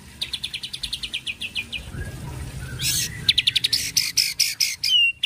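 A White-rumped shama gives fast runs of sharp, high chipping notes, about two per second, broken by a brief harsh burst and then louder clipped phrases.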